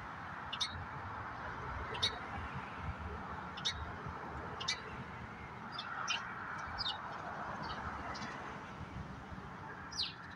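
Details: Common grackles at a backyard bird cam, eating walnuts left out for blue jays in a secret spot. Short, sharp, clicky chack notes come singly at irregular intervals, roughly one to two seconds apart, over a steady low outdoor hum.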